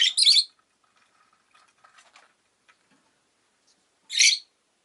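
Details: Pet rosy-faced lovebird giving two loud, shrill, harsh chirps about four seconds apart, each roughly half a second long, with faint soft chattering and low background noise between them.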